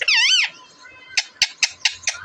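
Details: Pet parrot at home producing a loud wavering whistle that rises and falls, then a string of five sharp, clipped chirps, with soft human talk around it.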